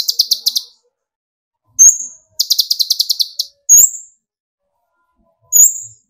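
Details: Kolibri ninja sunbird song used as a lure to raise other birds' singing. Two fast trills of high buzzy repeated notes are each followed by a thin, sharply rising whistle, with a third whistle after a pause.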